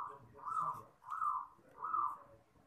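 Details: Zebra dove (perkutut), a champion-style voice for training young birds: three soft, swelling cooing phrases about 0.7 seconds apart over low background murmur.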